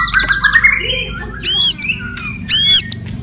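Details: White-rumped shama singing a provoking fighting song: quick descending whistled notes, then two loud, drawn-out, ringing squawk-like notes about a second apart, with quieter warbling between.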